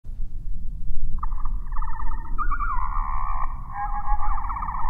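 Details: Anna's hummingbird (Calypte anna) song slowed down eightfold, so it sounds like a larger bird. It becomes a low, warbling whistled phrase that wavers and slides over several seconds, above a steady low rumble.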